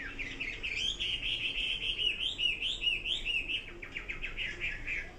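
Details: Song of a Chinese hwamei: a continuous rich warble of looping whistled notes rising and falling, ending in a rapid series of short repeated notes, steady and loud throughout.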